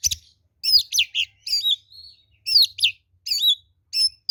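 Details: An oriental magpie-robin singing its fighting song as a lure to draw angry replies: clear whistled phrases of sweeping, dropping notes, a soft drawn-out low whistle, then more bright, repeated phrases.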